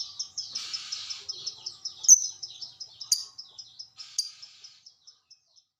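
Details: Fighter lovebird giving a long ngekek chatter in reply to another lovebird after being lured with a calling bird. Rapid series of high, sharp chirps, about five per second, with a few louder accented notes, gradually fading toward the end.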